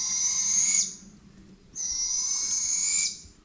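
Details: Young Barred Owl, heard at night from the woods near a forest homestead whose resident wild Barred Owl pair raises a family there, gives two long, shrill, eerie hissing screeches, each slightly rising and about a second long, with a short pause between.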